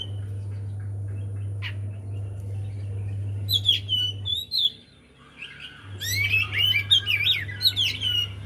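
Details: Javan white-eye song played as a lure to encourage a silent bird to sing: two bouts of fast, jumbled, high twittering whistles separated by a brief pause, with a constant low hum in the background.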